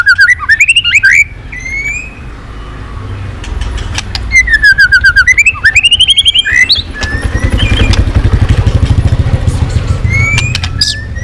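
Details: White-rumped shama giving looping whistled phrases and high ticks in bursts, followed by quieter sparse notes over a steady low rattling background noise.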